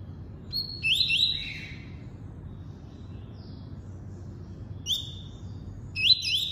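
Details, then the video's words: Tuí-tuí song from a double-collared seedeater: a burst of overlapping rising whistles, a long pause with a faint note, then two more brief upslurred phrases ending in level tones. "COLEIRO FLASH ENCARTE (TUÍ-TUÍ)"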